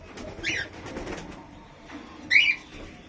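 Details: Albino red-eyed cockatiel giving two short, sharp rising-falling chirped calls about two seconds apart in a small room, with faint background noise between them.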